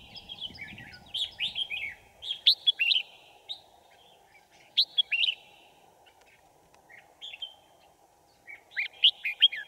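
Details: Red-whiskered bulbul used as a decoy to draw wild birds into a trap, 5 January 2018: loud, clipped whistled phrases with sharp upward and downward sweeps, grouped in bursts separated by silent gaps of one to two seconds; low hum behind.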